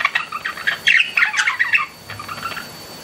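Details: Chattering pet budgies, a busy run of quick scratchy chirps and warbled notes, fading to softer twitters toward the end.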